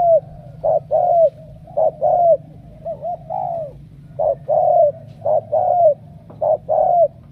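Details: Cooing of a Spotted dove from Cà Mau, Vietnam, picked as a strong cooer: paired notes, a short clipped coo then a longer drawn, downslurred one, repeated steadily, with a faint low hum beneath.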